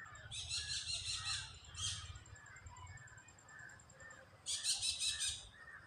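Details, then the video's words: A parakeet gives loud, harsh, rapidly repeated squawks in two bursts of about a second each, with a faint high hiss and low hum behind; pet parakeet's loud noise. "Parakeet's loud noise"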